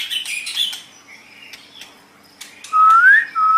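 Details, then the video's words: White-rumped shama, recorded as training material for other birds; a chattery buzzy opening, quiet pause with scattered ticks, then two loud pure whistles, one rising steeply. "Ocehan Burung Murai Batu"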